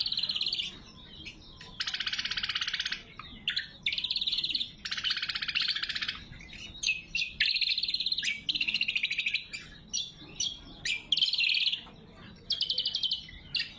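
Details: Greater green leafbird singing vigorously, natural recording without effects for luring wild birds and training cage birds: alternating broad, harsh, rasping rattles and fast, thin, trilled phrases with sharp chips between them, repeated over many seconds.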